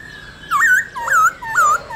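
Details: Black-throated laughingthrush singing in the wild style meant to spur caged birds to sing: three loud, slurred, wavering whistles, each about a third of a second long, with brief pauses between them.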